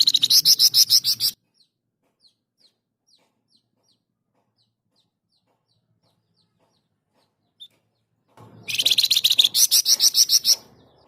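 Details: Flamboyan singing loudly and persistently as a master recording: a fast, rattling series of piercing high notes, a long near-silent gap with soft ticks, then another harsh rapid chattering burst.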